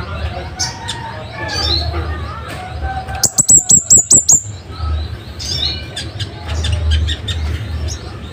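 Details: Scarlet-headed flowerpecker in a master recording for training caged birds: a rapid string of about eight piercing high notes, loud and sharp, set among softer chirps and chatter from other birds.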